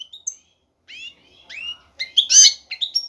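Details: Short phrase from a male goldfinch courting a female: a few thin rising whistles and slurred notes building into a loud, buzzy, tinkling flourish.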